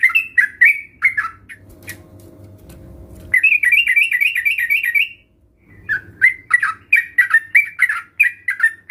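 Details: Sooty-headed bulbul singing, played to get other bulbuls to respond: chirpy slurred notes, a pause with low background hum, then a fast rhythmic run of bubbly phrases and more irregular chirps.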